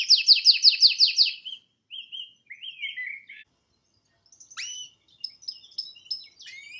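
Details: Male pet canary singing indoors: a quick rolling trill, then short warbled phrases, a pause and sharp sweeping chirps.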